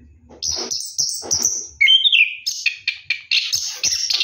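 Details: High-pitched rolling ngeroll song from an Orange-headed thrush during a night bath: thin repeated whistles, a quick warbled trill, then a rapid chain of sharp notes, soft low thumps early on.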